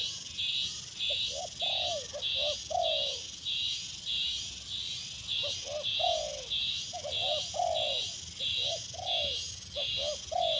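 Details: Spotted dove under training as a branch decoy bird coos in repeated low phrases: quick double notes ending in a longer falling hoot. A strong rhythmic insect trill pulses throughout.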